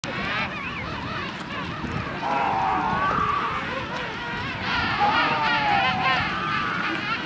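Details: Many king penguins in a South Georgia colony trumpet at once, with overlapping warbling, wavering calls forming a steady colony din and no pause between voices.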